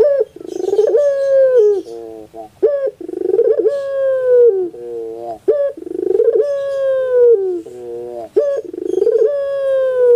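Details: Barbary dove singing pelung-style, played as a prompt for a lazy dove: sustained mellow coos that sag at the end, then clipped lower notes and a quick rising flick, the phrase cycling roughly every three seconds.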